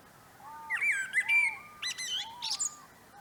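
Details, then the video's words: Common blackbird singing in a northern no-dig vegetable garden in late March 2024, early spring: low fluted whistled phrases that glide and waver, followed by high, squeaky twittering notes, over a quiet background. "Blackbird Song"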